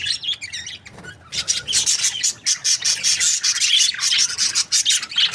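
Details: Dense rasping chatter from budgerigar breeding pairs: fast, buzzy high notes run together almost without a break, with a slightly quieter start before the chorus thickens.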